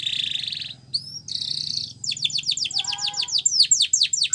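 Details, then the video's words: Canary song used as a training recording for teaching canaries to sing: a buzzy held tone, a brief rising whistle, a dense rolling trill, then a fast series of sharp downslurred notes growing louder toward the end. "Your Canary Will Sing A Lot With This Voice"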